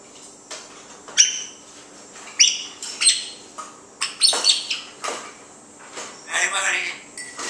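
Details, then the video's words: A one-year-old African grey parrot talks in short, speech-like phrases with sharp whistled squeaks between them, the bursts uneven and broken by brief pauses, indoors with dogs barking in the background; recorded 13 August 2012. "the parrot talking"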